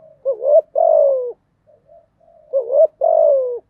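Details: Spotted dove song used to stimulate freshly caught doves to sing: two phrases of a wavering rising note and a long descending coo, with faint soft notes in the pause.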